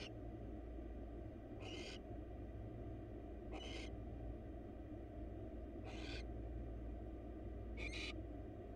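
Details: Wild barn owls in a monitored nest box during a mouse delivery from male to female: four brief, thin hissing screeches spaced about two seconds apart, fairly soft above a steady low hum.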